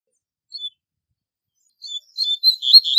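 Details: Double-collared seedeater song for tutoring young birds. An isolated whistled note comes first, and after a pause a fast run of whistled and buzzy notes begins.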